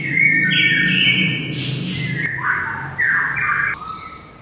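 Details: White-rumped shama delivering bright, varied whistled phrases that step up and down over a steady low hum in the background.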